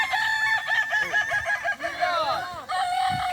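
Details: Several Kukuak Balenggek roosters crowing together at the final of a boko-class crowing competition at a dairy farm in Solok regency; long, overlapping, harmonically rich crows with wavering, arching notes fill the scene, with faint voices beneath.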